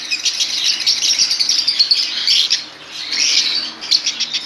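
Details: Colony of lovebirds making a continuous, high-pitched chatter of overlapping shrill chirps and squeaks from many birds at once, swelling and fading in waves.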